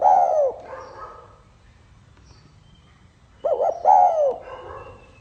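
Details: Spotted dove song in the 'pha kim' style, opening on the tail of a long falling coo. Soft cooing follows, then a full phrase of two clipped hoots and a long downward-sliding coo.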